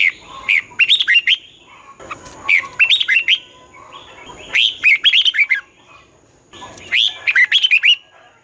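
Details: Morning competition song of a red-whiskered bulbul in the twisting-voice style, used to stimulate newly caught birds. Four bright warbled phrases about every two seconds, each a rising slur into rapid looping notes, with a faint steady high whine.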